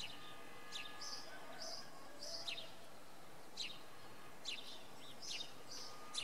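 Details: Common redpoll calling in the evening in fog at Oksywie: short buzzy, trilled chirps repeated irregularly at about one per second, high-pitched, over a steady low hum and faint background noise.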